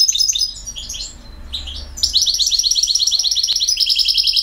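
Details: European goldfinch, BiH, delivering campero song: jumbled twittering notes, a short pause, then a long rapid run of repeated bright trilled syllables.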